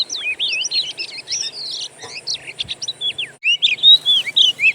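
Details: Wild Oriental magpie-robin song used as a lure: tangled fast whistles and chattering notes, a brief pause of near silence, then loud looping whistled phrases, over a low constant hum.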